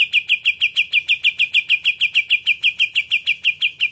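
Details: Steady series of sharp, high chip notes from a caged Greater green leafbird, evenly spaced at about three per second, each with a bright ringing overtone.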